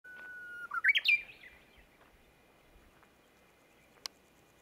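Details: Japanese bush warbler singing: a long, steady whistled note, then a quick rising, twisting flourish that climbs sharply and fades, followed by quiet and one sharp click near the end.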